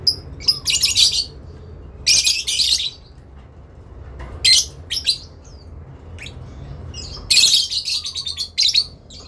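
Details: Adult lovebird giving long ngekek calls, answering and calling to a rival; harsh, rasping, high-pitched bursts in irregular bouts with brief thin chirps and soft lower notes between them, over a steady low hum.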